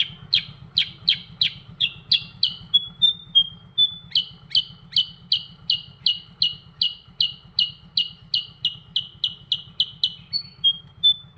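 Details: Kutilang sutra, the sooty-headed bulbul, singing a lively ngerol: roughly thirty bright downslurred chips in quick succession with a few brief pure whistles between runs, a faint low hum underneath.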